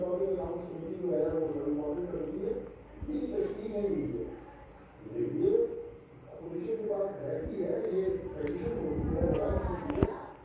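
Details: A talking rose-ringed (ringneck) parakeet says "I want to eat almonds" and other short, speech-like phrases in a throaty, mid-pitched voice, pausing briefly between bursts, with faint background noise underneath.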